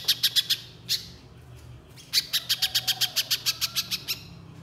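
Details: Little spiderhunter singing in the rapid 'nembak' style meant to lure other spiderhunters into song: a few quick high chips, a single louder note, then a long even run of about fifteen sharp chips.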